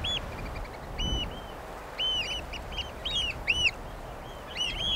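Loud, shrill piping 'kleep' notes from Eurasian oystercatchers, arched and repeated in quick overlapping bursts, several birds calling together over a low background rumble.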